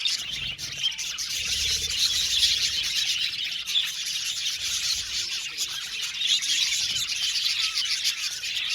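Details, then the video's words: Budgerigars, an Australian budgie colony kept in an aviary, producing a dense, unbroken chorus of high chirps, twitters and warbles from many birds at once, with a few louder squeaky notes standing out. "budgies chirping sound"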